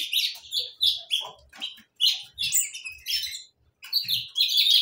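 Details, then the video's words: Short, loud bursts of high chirping from saffron finches, each phrase a cluster of harsh, buzzy notes separated by brief gaps, with faint low knocks. "gorriones pecho amarillo cantando"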